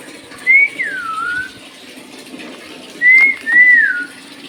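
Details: Talking parrot, described as a Bhojpuri talker, produces two clear whistled phrases three seconds apart, each rising briefly then gliding downward, with faint room hum between them.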